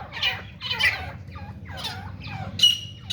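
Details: Grey francolin (teeter, grey partridge) fighting: several separate harsh, nasal squawks, ending in two short, shrill whistled notes.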